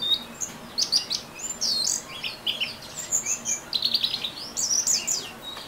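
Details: Orange-headed thrush giving ngeriwik song: loud, clear bursts of high warbled phrases and fast trills, with short gaps between the phrases.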